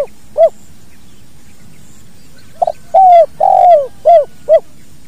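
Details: Spotted dove, 'kuk dua' song, naturally recorded for training other birds: an isolated short coo, a pause, then a stuttered note, two long mellow falling coos and two short rounded coos, over low background hum.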